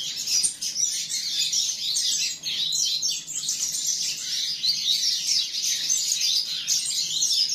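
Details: A young canary sings a long, unbroken, dense song of high rolling trills and warbles, swift notes running together with hardly a pause, over a faint low hum.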